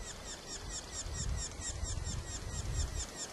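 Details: A young Red-naped sapsucker keeps begging while a parent feeds it, Premier Lake Provincial Park, British Columbia, recorded from far away: a steady stream of thin, high notes, about six a second, over low wind rumble.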